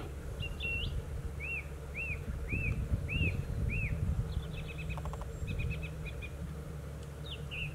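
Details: Song thrush sings one arched whistled note five times in steady sequence, then switches to a rapid chattering phrase repeated twice, with low rumbling noise beneath.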